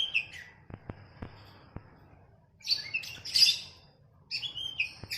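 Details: Captive oriental magpie-robin training song set against a sooty-headed bulbul: a high whistled phrase, a few sharp clicks, then bursts of rich, varied warbling notes with short pauses between.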